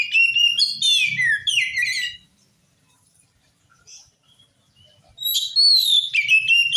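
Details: Oriental magpie-robin (kacer) in energetic song intended to make other magpie-robins respond: a two-second run of fast chattering and descending whistles, a pause, then another burst of sweet, sliding whistled notes over a faint low hum.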